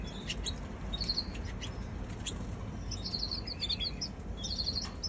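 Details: Young canary producing bursts of quick, high twittering notes in small groups separated by pauses, set against a constant low hum.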